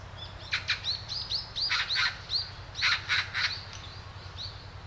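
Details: Sharp, clipped kik calls of a great spotted woodpecker, Hanbam Village, Bugye, Gunwi, South Korea, come in rapid irregular bursts, mixed with another bird's high whistled upslurred notes throughout.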